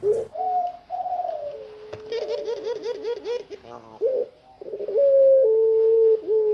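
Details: Puter pelung dove, fully tame, cooing freely out of its cage: low, mellow, drawn-out coos and bubbling, wavering rolls. Faint higher chattering sounds are heard midway, and the final notes are long and steady.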